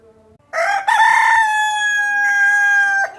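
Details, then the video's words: Domestic chicken giving one long, drawn-out call: a loud harmonic note that rises briefly, then holds steady for about two and a half seconds before stopping abruptly. "Hen voice"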